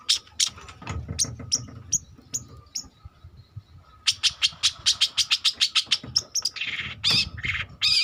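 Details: A young long-tailed shrike learning to sing: scattered chirps and low thumps at first, then a fast regular train of sharp ticks, ending in harsh grating rasps; faint hum throughout.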